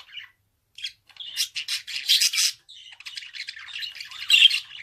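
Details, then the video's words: Budgerigar starting with a few isolated chirps, then building into dense, harsh, buzzing chatter and squeaks that continue to the end. "Kuş sesi - Muhabbet Kuşu"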